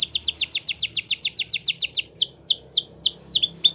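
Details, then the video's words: Domestic canary, a Russian singer used as a training song, with flute-like singing: fast series of descending whistled notes repeated about four per second, then slower, longer downward-sweeping whistles near the end. "Russian Canary Flute Singing"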